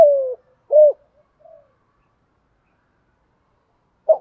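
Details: Spotted dove used as a decoy, 'thúc gù' cooing. A falling drawn-out coo, a short rounded coo and a faint trailing note, then quiet before one more brief coo.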